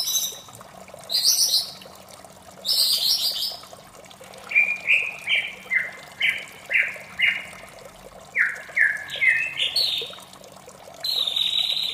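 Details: White-rumped shama in the morning, opening with loud buzzy bursts, then a quick series of about a dozen short stepped whistles, ending with a bright high note, over continuous running water.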